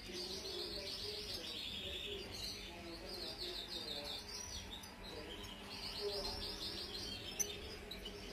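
Eurasian siskin twittering in fast, high, rolling bursts of chattering notes, with lower cooing and a murmur of other birds behind.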